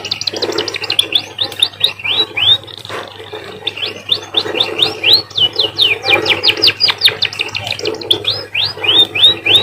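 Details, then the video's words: Munia (emprit) song likened to a canary's: long, rapid strings of high whistled chirps, rising and falling, broken by brief pauses, with a soft low rumble in the background. "emprit bird sounds like a canary"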